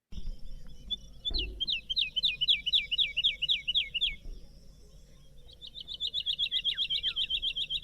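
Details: Woodlark song, recorded by day in Portugal: fast, liquid descending looped notes in a rolling series, pausing then resuming in a quicker fluty trill; other birds chirp faintly in the distance. Woodlarks also sing all night and in flight.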